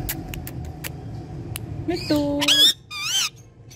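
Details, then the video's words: Talking pet ringneck parrot: after scattered sharp clicks, a steady flat tone gives way to a rising whistled sweep, then a rapidly wavering warbled note, over a low background hum. "Amazing Ringneck Talking Parrot"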